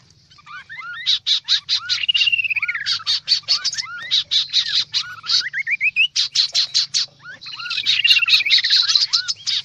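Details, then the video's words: Kaso-kaso bird lure recording, noisy and busy: rapid buzzy chattering bursts run almost nonstop, threaded with short hooked whistles and long rising then falling slurred whistle runs. "Suara pikat burung kaso kaso ribut"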